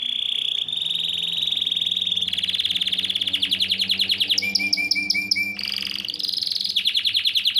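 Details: Singing yellow Belgian canary, delivering an unbroken chain of fast rolling trills that shift between tours, including a stretch of clipped, evenly spaced notes, loud and close.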